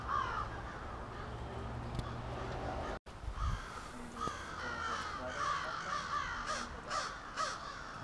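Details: A flock of crows at their evening roost in suburban Halifax, Nova Scotia: a continuous mass of overlapping caws, with a short gap near the middle and sharper, distinct calls in the last seconds.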